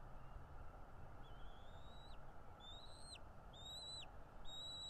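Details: Bald eagle at its nest in Northeast Florida, nest camera, 13 February 2022 around 10:10 am: an accelerating series of about five piercing whistled notes, each sliding upward and breaking off sharply, growing louder toward the end, over low steady background noise.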